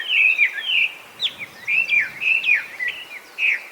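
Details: Wild Chinese hwamei, an introduced species breeding across Japan, giving loud whistled song notes: sweeping, slurred phrases separated by short gaps, some notes dipping sharply then rising, with quiet ambient noise behind.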